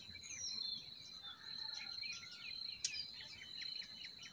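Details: Spring songbirds in a forest: a thin falling whistle, then rapid series of short repeated chirps, with one sharp click near the end and a steady high buzz beneath.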